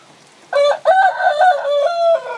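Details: A rooster crows while a hen incubates her eggs. A short harsh opening note, a brief pause, then a long loud crow of steady, sustained tones lasting over a second.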